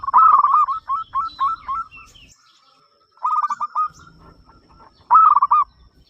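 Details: Loud-voiced local zebra dove, its song prompting other doves to call. A stuttering run of coo notes, then two short rolling trills after brief silences, with faint higher chirps.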